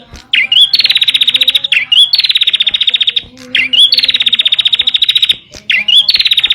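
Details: Bar-winged prinia song used to prompt and train caged birds: each phrase opens with a brief upslurred note, then a long, rapid, buzzy rattle of evenly pulsed notes lasting about a second, repeated four times with short pauses.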